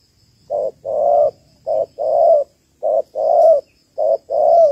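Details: Female spotted dove calling to stimulate males for trapping: four paired coos, each a brief hoot followed by a longer rolling coo, repeated about once a second, low-pitched and even; faint background hiss.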